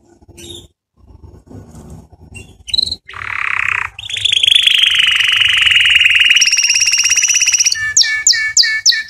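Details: Song of a canary used to train chicks: scattered short notes, a brief low buzzy burst, then a long rapid trill with a ringing high tone above it, closing with quick repeated high chirps.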